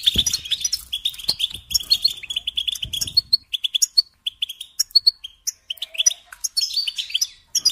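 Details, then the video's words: Kept goldfinch singing a rambling series of bright twitters, chirps and short rattling trills, louder at first, then broken into separate bursts with gaps. "Singing Along with Goldfinches"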